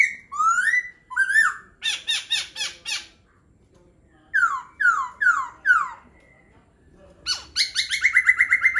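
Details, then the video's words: A laughingthrush sings loud, varied phrases: rising slurred whistles repeated four times, rapid chattering note-strings and a fast burst of ringing notes, separated by short pauses. "Khướu hót hay"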